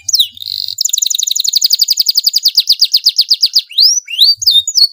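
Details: Domestic canary singing loudly, kept as a tutor bird to prompt young canaries: a few high swooping whistles, then a long fast rolling trill of repeated downslurred notes about four per second, ending in rising and falling whistled slurs.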